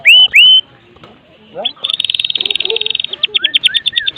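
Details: A Medan-type white-rumped shama (murai batu) opens with two loud, upslurred whistles, then a fast, dry, chattering rattle, finishing with quick notes and sliding whistles.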